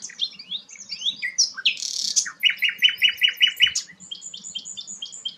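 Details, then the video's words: Sikatan londo, described as rare, giving fast high twitters and a harsh buzzy burst, then a measured series of about eight clear ringing notes, ending in a faster run of thin high chips. "burung langka sikatan londo"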